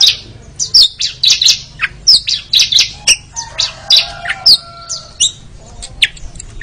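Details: Oriental magpie-robin in a training recording: loud, varied song of sharp chirps and short squawks, delivered roughly every half second, with a low steady hum underneath.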